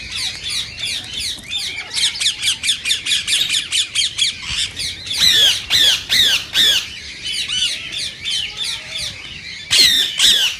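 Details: Indian ringneck parakeet calls, said to stir others to sing and mate: a long burst of rapid, evenly pulsed chattering notes, then loud, grating screeches repeated in pairs and triplets.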